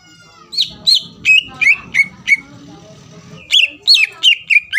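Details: Greater green leafbird singing to stir rival birds to respond, a run of bright whistled and chirped notes about three per second, a brief pause with faint background hum, then more rapid whistled phrases.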